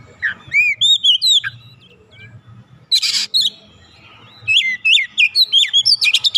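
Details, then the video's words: Oriental magpie-robin, an untrained bird singing vigorously right away: slurred whistled notes, one harsh rasping burst, then a run of bright up-and-down whistles, over a low rumbling background. "KACER bahan langsung ikutan gacor"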